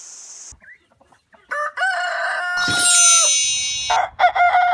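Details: Roosters crowing nearby and around: after a quiet start with a faint chirp, a strong drawn-out crow rises to a long sustained note, overlapped by a second rooster's crow, then another short crow begins.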